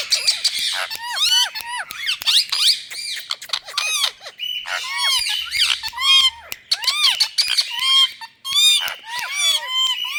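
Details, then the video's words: Indian ringneck parakeets in India: dense, overlapping harsh squawks and screeches with rising-and-falling tones, packed almost continuously through the recording, with brief gaps. "Parrots Beauty🎊Talking Fun🎀"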